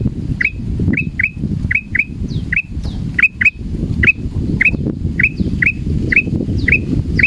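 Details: A frightened male sooty-headed bulbul, hung in a cage at a cliff edge, gives sharp, slurred chirps about twice a second, some with a high falling whistle, over steady low rumbling background noise.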